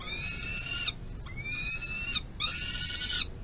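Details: Two peregrine falcon eyasses at a nest box runway, one still being fed by the female at the end of dinner, 25 May 2022. Three prolonged rasping screams separated by brief pauses, with a low hum beneath.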